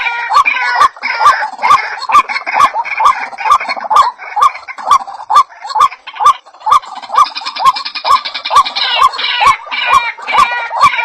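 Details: A white-breasted waterhen calls to lure birds, giving a long rhythmic train of short rising croaks with clicking accents, about two each second. A dense, buzzy higher chatter rises over the middle section.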